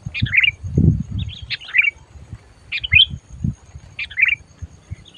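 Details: Sooty-headed bulbul used for lure trapping, calling loudly and aggressively: short warbled chirp phrases spaced about a second apart, each with a quick downward slur, against low thumping and rumbling noise.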